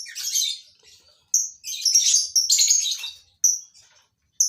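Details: Lovebirds kept for colony breeding chatter in loud, shrill, scratchy phrases, interspersed with short clear high whistles-like chirps and brief silences.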